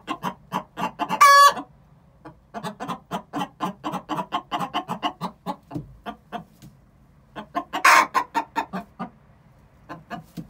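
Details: Egg song from two six-month-old hens before laying, bursts of quick clucks separated by pauses, each burst led by a loud drawn-out squawk.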